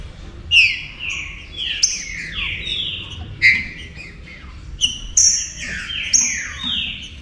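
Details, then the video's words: Green-winged saltator song used as a warm-up to excite other saltators: loud whistled phrases sliding downward, with sharp high notes over them, in bursts roughly every three seconds over a low hum. "ENFEMADO ESQUENTE SEU TRINCA FERRO"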